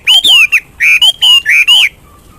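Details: Short burst of hwamei song, heard each morning: five loud, pure whistled phrases, each a long slurred note bending downward, followed by quiet.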